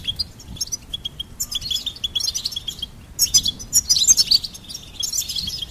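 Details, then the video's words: Goldfinch singing a fast, high twittering stream of tinkling and buzzy notes, sparse chips at first, building to a dense liquid jumble after three seconds, with a soft low rumble underneath. "Charming Goldfinch Peep Fun for bird stimulation birds chirping"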